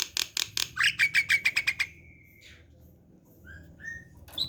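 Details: Javan pied starling at home: rapid harsh rattling notes lead into a sustained, trilled whistle that falls and fades, followed by two short clear whistles and a final sharp note.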